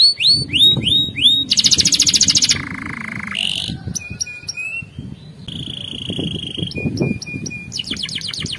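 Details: Canary singing a training song for other canaries: upward-curving repeated notes, a buzzy trill, steady whistled tones and clipped bursts, over a faint low indoor rumble.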